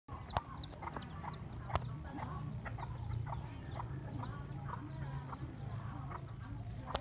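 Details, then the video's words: Hen with a lively brood of chicks, filmed in the morning on the road to a primary school in Binh Hoa, Vietnam; many thin high chick peeps scattered throughout over a steady low rumble, with a few sharp clicks. "Gà Mái Và Một Bầy Con Siêu Quậy"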